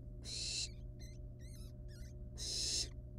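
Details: At a wild barn owl nest where chicks toy with a live rat: two loud breathy screech-hisses framing a run of thin, high, wavering squeaks, over a low steady hum.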